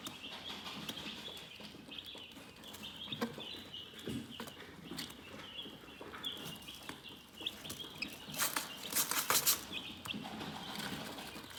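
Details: Chickens in a calm, relaxing setting chirp steadily: many high, thin peeps overlap in a continuous chorus, with scratchy rustling and short bursts of broadband noise near the end.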